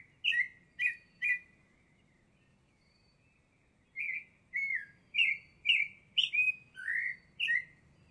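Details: In La Garita, Alajuela, Costa Rica, a Baltimore oriole gives three quick raspy notes, falls silent for a couple of seconds, then resumes with a run of varied downslurred chattery notes. A soft low hum runs underneath.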